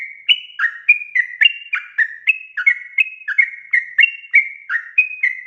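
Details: Sooty-headed bulbul in vigorous song, played as a lure so untrained bulbuls will sing: a rapid chattering series of bright whistles jumping between higher and lower pitches, about three notes per second, with nothing else audible.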